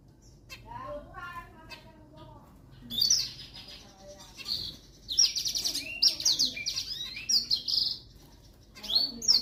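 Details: Zebra finches being sunned outdoors for their health give short, high, nasal chirps in quick bursts, with a few lower harmonic notes early on.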